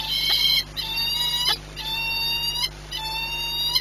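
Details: Peregrine falcon ringed 8BS at the Orlen site in Płock, 14:39 on 22 March 2021: four drawn-out, harmonic-rich wailing calls, each under a second and slightly rising, with brief gaps between them over a steady electrical hum.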